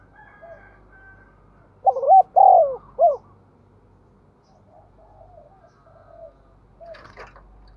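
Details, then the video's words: Spotted dove used as a decoy, 'giọng thổ' style. A loud three-part coo phrase comes early. Faint background cooing follows, then a brief sharp clatter near the end. "Chim Cu Mồi/ cu gay kich boi nhanh noi"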